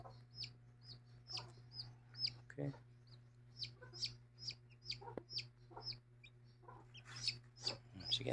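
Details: Mother hen with chicks: a long run of thin, high downward peeps repeated at a fast, uneven pace, with a few soft clucks and a low steady hum throughout.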